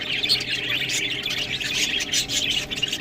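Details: A group of budgerigars eating greens produce steady high-pitched chatter, many quick chirps and squeaks layered together with a few louder sharp tweets standing out.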